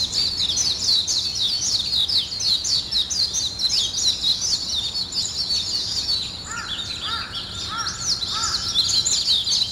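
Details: Birds in the morning keep up a lively chorus of high chirps. After six seconds a lower, hooked call repeats four times, about once a second.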